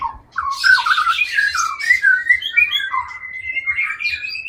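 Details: Long-tailed Aceh white-rumped shama, a caged contest-winning breeding male, delivering a loud varied song: harsh scratchy notes sliding into a long thin whistle rising slowly, over faint rhythmic low thumps.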